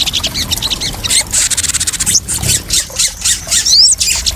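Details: Crested jay call played as a lure and therapy to help newly caught birds settle without stress: dense, harsh, buzzy rapid pulses high in pitch, with brief rising whistled notes near the end.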